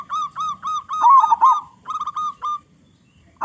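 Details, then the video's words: Local zebra dove with a big voice, used as a lure to get other zebra doves singing: a string of short clipped cooing notes, then louder rolling warbled coos, a brief pause and another clipped series. "Perkutut Lokal Gacor Suara Besar Suara Paling di Sukai Burung Perkutut apa saja"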